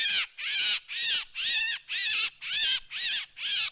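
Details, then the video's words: Lure sound of a drongo: seven loud, grating, harmonic notes, each bending down in pitch, evenly spaced about two per second. "เสียงนกแชงแชว ສຽງນົກແຊວ ສຽງຕໍ່"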